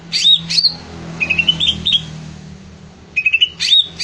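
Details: Greater green leafbird singing in lively form, short whistled phrases with quick rising trills and sharp downslurred notes, two bursts separated by a pause, low background hum.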